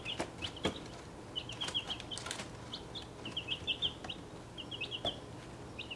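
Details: Mixed-breed domestic chicks, 1.5 weeks old, in a travel box they are outgrowing: bursts of shrill, clipped peeps in quick clusters, interrupted by sharp scratching clicks and soft wing flutters.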